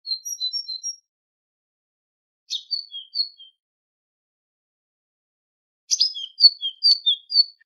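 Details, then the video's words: High chirping tit song used as a goldfinch training recording: three phrases of quick whistled notes, the last longer and stronger with a buzzy start and descending slurred tones, separated by pauses. "تغريد طائر الحداد ( القرقف) شريط تسميع الحسونChant de la Mésange"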